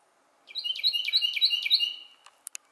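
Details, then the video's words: Carolina wren at Glebe Park, Siesta Key, Florida, pouring out a rich chant of roughly seven repeated downslurred phrases, then silence broken by a few sharp clicks. "Carolina Wren Singing"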